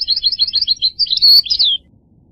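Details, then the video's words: A brief goldfinch phrase of quick, liquid twitters that ends in a sharper, ringing flourish before falling silent. "The Resonant Chirping of the Goldfinch Bird"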